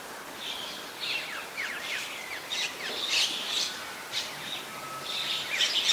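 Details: Rapid series of short, sliding squeaky notes and harsh chirps from a White-vented myna, Ubon Ratchathani, Thailand, 21 October 2021, uneven in rhythm and rising in loudness toward the end.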